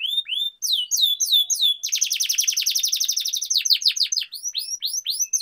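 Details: Canary training song for prompting other canaries: high whistled downslurred notes, a long fast buzzing roll, then sweeping whistled phrases repeated at a quick pace.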